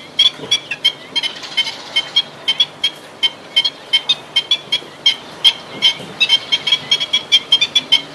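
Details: Black-winged stilts giving sharp, high, yelping notes in quick irregular bursts, several birds overlapping, roughly two to three calls per second across the whole stretch, with a soft low hum beneath.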